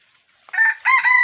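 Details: Wild red junglefowl crowing at a trap with a decoy rooster, 6 January 2021, sounding like a young cock: a short two-part crow, a brief harsh note, then a longer, steadier strained note.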